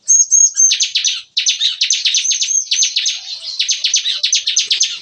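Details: Bar-winged prinia singing in the morning in a breeding aviary enclosure, its busy song in the 'nembak-nembak' (shooting) style: rapid, high, buzzy bursts fired off like machine-gun volleys, barely pausing over five seconds.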